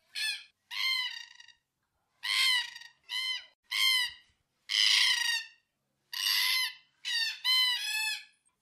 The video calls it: Black Cockatoos Bird Sound Effect